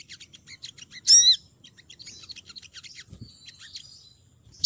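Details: Calling female olive-backed sunbird, heard as a lure for males: soft, fast high ticking notes, one loud, ringing, arched call, then quieter twittering, a faint thud and a sharp closing chirp.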